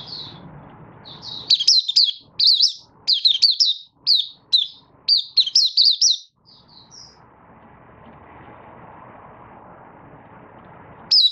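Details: Oriental white-eye from Malaysia, caged Kitaro line bird building form in minor moult, 24 August 2023: a long run of loud, high, slurred chirps in rapid clusters, then fading to quiet room noise.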